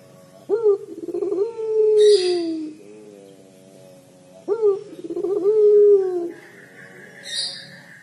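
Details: Crying coo of a puter pelung collared dove: two drawn-out coos, each rising sharply, holding, then falling away. A brief high chirp and a steady thin whine appear between them.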